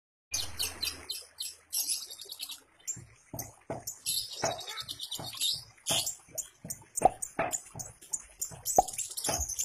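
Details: Caged long-tailed shrike from Banyuwangi, Indonesia, kept and trained as a fighter bird, gives harsh, scratchy high-pitched bursts in rapid irregular series, mixed with frequent sharp clicks and knocks from the cage.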